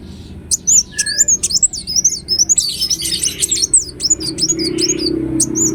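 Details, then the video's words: Lively Ruby-cheeked sunbird song for luring other birds into singing: a long run of rapid high twitters and wavy slurred squeaks, densest mid-phrase, with a couple of lower whistled notes. "Kolibri Wulung Gacor Latah Gampang Bunyi"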